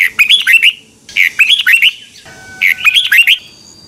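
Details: Red-whiskered bulbul singing a morning training song in the 'xoắn tít' double-voiced twisting style, used to train other birds. Three bubbly, rapid, whistled phrases follow almost back to back with barely a pause.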